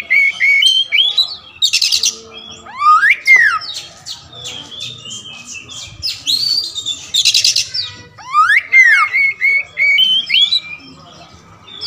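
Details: All-black kacer wulung magpie-robin singing a richly varied song. Sweeping whistles, quick chip series and scratchy buzzy bursts alternate with short pauses. A faint low hum sits underneath.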